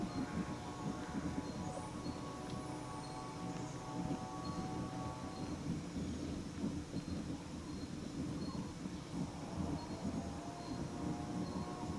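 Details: Wind chimes ring steadily over a low rumble of wind or distant thunder, with no animal calls heard.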